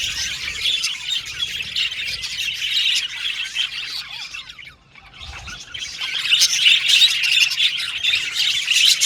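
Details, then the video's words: Budgies singing and chattering in dense high warbling that fades to a short pause midway, then resumes louder with squawky chirps. "Budgies Chirping Sound"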